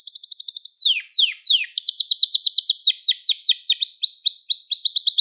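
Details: Singing Gloster canary, a recording for stimulating canaries and training young singers: a quick trill, three slow descending swoops, then a long series of fast repeated downward-sliding notes.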